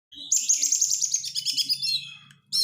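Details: Oriental magpie-robin (kacer) lure song with dense crecetan chatter, meant to rouse reluctant birds into singing: a high, rapid string of buzzy whistled notes held for two seconds, with a faint low hum beneath and a sharp burst at the end.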